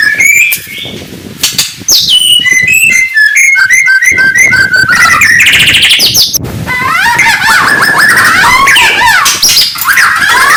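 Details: Morning singing by a white-rumped shama: rapid, varied whistled phrases packed with trills, quick up-and-down slides and fast chattering runs, continuous and loud throughout.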